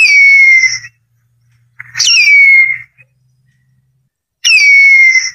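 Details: Harpy eagle giving loud, long whistled screams that start high and slide down into a steady, slightly wavering note lasting about a second. Three calls, one already under way at the start, with a faint low hum beneath.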